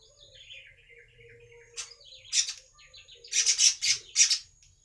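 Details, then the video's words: Baya weaver singing, used to lure other weavers: soft, thin descending chirps lead into loud, harsh buzzy bursts repeated in quick succession near the end. Background is quiet. "BURUNG MANYAR UNTUK PANCINGAN BURUNG MANYAR BAHAN"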